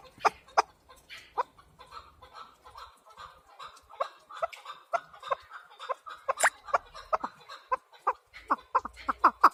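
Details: Chukar partridge giving a long series of clucking chuk notes, scattered at first, then speeding into a denser rhythmic run toward the end.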